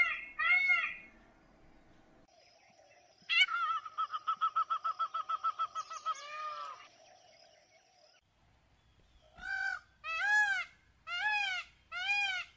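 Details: Mixed peacock vocalizations: an opening harsh note, then a fast pulsed rattling run of about a dozen short notes, and finally four loud arched honks roughly a second apart, with quiet gaps between the bouts.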